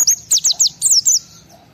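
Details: A worked-up white-eye singing to stir other white-eyes: a tight sequence of about six piercing high whistles, each slurring downward, delivered quickly within just over a second, then quiet.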